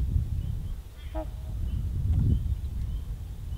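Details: Trumpeter swan, one of a pair feeding in spring at a beaver pond in Minnesota where they return yearly to raise chicks; a single short nasal honk with stacked harmonics, over heavy low wind rumble and faint distant bird calls.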